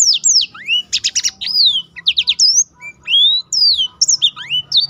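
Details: Song of a black-throated canary, used to get other birds singing and to teach them more varied sounds; energetic run of high rising and falling whistles with rapid buzzy trills.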